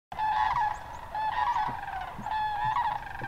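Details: Wintering sandhill cranes at Hiwassee Wildlife Refuge, Birchwood, Tennessee, on January 16, 2013: a dense chorus of overlapping rolling, trumpeting rattles from many birds, with a steady murmur of calls in between.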